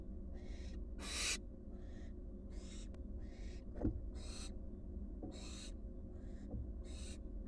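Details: Wild barn owl fledglings, four back at their nest box, give softer, more distant hissing bursts with one loud screech near the start, plus a few knocks and scraping sounds over a low hum.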